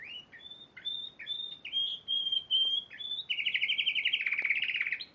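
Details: Spanish Timbrado canary, a champion at the Piala Raja singing competition in March 2014, sings a loud run of high, clear whistled notes, sustained trills and rapid repeated rolling phrases, about 143 notes a minute.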